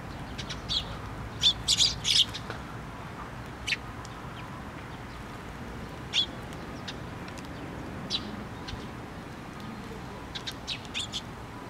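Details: Sparrows gathering at a feeder on a post at a Tenmangu shrine, 24 June 2023; short, sharp high chirps come singly and in small clusters, sparse and irregular over a steady low background hum.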